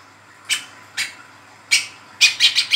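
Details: Young spotted Brown-throated sunbird calling in the 'ngeriwik' chattering style, a lure for provoking and tutoring sunbirds. Spaced, very high, sharp chips, then a quicker run of four clipped notes at the end.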